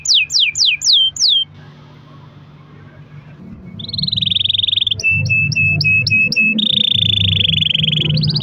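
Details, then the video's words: Canary with a long rolling song (rol panjang), used as a lure to make other canaries sing: five quick high whistles sweeping steeply downward, a short pause, then long buzzy trills and rapid repeated notes over a steady low hum. "kenari gacor ROL PANJANG buat pancingan kenari agar bunyi"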